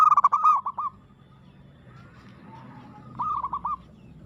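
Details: Zebra dove (perkutut) singing aggressively: a fast run of rippling cooed notes that fades, a quiet gap, then a second shorter rippling burst.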